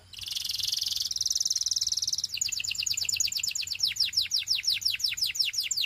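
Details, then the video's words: Belgian canary singing: a buzzy high trill gives way to a fast series of sweeping whistled notes, about three per second, steady and loud throughout. "Belgian Canary Singing"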